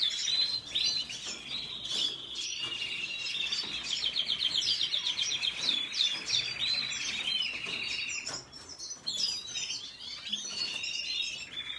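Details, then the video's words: Red siskin giving a continuous high twittering song of fast chirps and buzzy trills, with busy, overlapping phrases throughout. "سیسکنی سور سسكن فنزويلي احمر red siskin"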